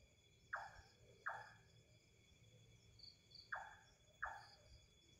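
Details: Mysterious unseen bird calling: quick falling notes in two pairs, the notes in each pair under a second apart, standing out faintly against steady shrill insect tones and low background rumble.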